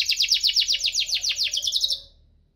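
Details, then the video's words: Canary giving a burst of 'cuit-cuit ngerol' song, meant to spur lazy canaries into singing. Around fifteen quick, evenly spaced chirps run for two seconds before fading out. "Kenari Gacor cuit-cuit ngerol, pancingan untuk burung kenari malas bunyi"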